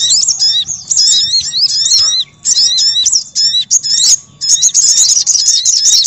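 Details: Crimson sunbird calling, used as a lure for wild birds: a busy stream of high, thin, zigzagging chirps with one short pause, closing in a rapid rattling chatter.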